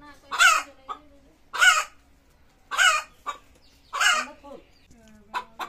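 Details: Hen calling before laying eggs: loud harsh screaming squawks repeated about every second, each followed by a shorter clipped note, with a faint low hum underneath.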